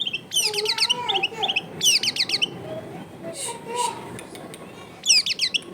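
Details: Long-tailed shrike in loud, chattering song: bursts of harsh, rapid, down-slurred notes and squeaky mimicked phrases, with gaps between phrases and a low background hum.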